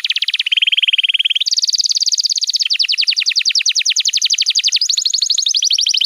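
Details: Canary singing a tutor song meant for young canaries: continuous high, rapid trills changing tour every second or so, from a steady lower roll to bright, buzzing, sweeping repeated notes.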